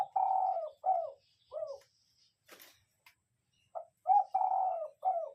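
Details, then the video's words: Cooing of a spotted dove used as a lure: mellow, slightly falling coos in short groups, a brief pause with a faint rustle, then the coos resume in quick succession. "cu gáy mồi"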